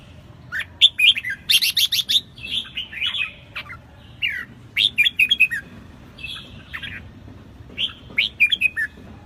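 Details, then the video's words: Wild-caught red-whiskered bulbul in lively song, giving repeated phrases of quick bright notes followed by descending slurred whistles, several phrases separated by brief silences. "chào mào Bổi Hót cĂNG lửa"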